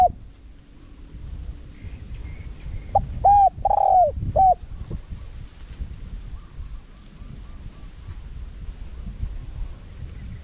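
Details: Spotted dove cooing in karom pa wild style, small-voiced, used as a lure for wild doves: a brief burst of four mid-pitched coos, one long and drooping, in the middle, with quiet rustling background before and after.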